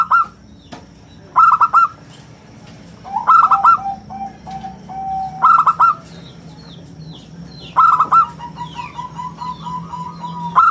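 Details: Local zebra dove, a prolific singer with a round, clear voice, used as a lure and song model. Four quick-fire bursts of three or four bright coos, each followed by a lower long coo. Distant high chirps are heard throughout.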